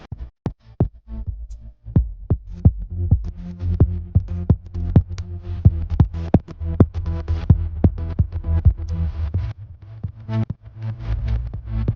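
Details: Bass-heavy electronic dance music with a steady thumping beat fills the recording, and no bird or other animal voice can be picked out.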